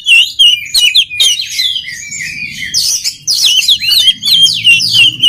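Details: Oriental magpie-robin song, used for training other magpie-robins to sing readily: loud, rapid, varied whistles and sharp chirps, many sliding up and down, delivered in dense bursts with a faint low hum beneath.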